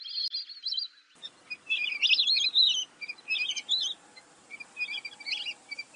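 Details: Lesser whistling duck giving high, shrill whistles, clustered into quick warbling bursts about four per second, uneven in spacing, with quiet gaps and faint background hiss.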